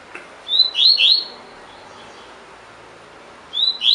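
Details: A caged double-collared seedeater delivers tui tui fibra song intended for training other birds. A quick phrase of three slurred high whistles is followed by a pause of about two seconds, then the start of another phrase.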